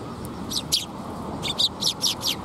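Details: Young sparrow fledgling calling with short, high, scratchy chirps, a pair then a fast run of five, against a constant low background hum.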